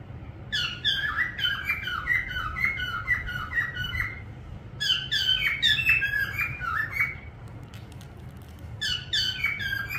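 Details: Parrot whistling in three bursts of rapid, warbling notes with many harmonics, each burst about two to three seconds long and separated by short pauses, over a steady low hum.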